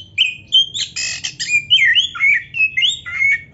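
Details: Oriental magpie-robin singing energetically, meant to make listening magpie-robins sing back: whistled notes, a harsh rasping burst near the start, then rapid looping rising-and-falling whistles in close succession over soft low hum.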